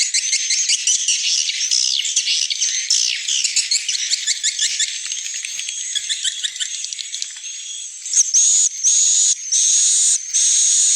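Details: Edible-nest swiftlet lure call for evening roosting: a dense, high buzzy twittering of rapid clicking chirps that runs continuously, then gives way to steadier high whistled tones broken by short gaps near the end.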